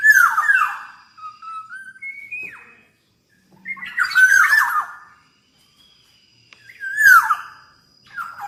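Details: Black-naped oriole, described as singing very actively: a nasal descending squawk opens, followed by thin whistled notes, then two more loud raspy falling calls with buzzy overtones, separated by short silences.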